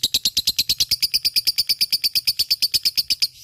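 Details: Lovebird of fighter type producing a ngekek chatter: a steady, rapid series of piercing, clipped notes lasting over three seconds, ending in brief quiet.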